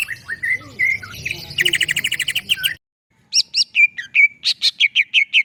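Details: Cucak ijo, the greater green leafbird, singing a gacor masteran song: varied whistles, then a fast trill of about a dozen sharp notes, a short pause, and a lively string of chirps and slurred whistles.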